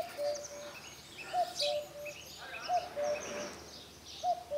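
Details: Common cuckoo singing at Telavi, Shuamta: low two-note hooting 'cu-ckoo' phrases repeated roughly every one and a half seconds, with thin chirps of other birds higher above and a faint outdoor hiss.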